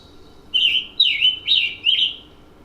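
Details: Scarlet Tanager song, a West Virginia forest bird: four hoarse, burry phrases, robin-like but rougher, coming about two per second over a faint low hum.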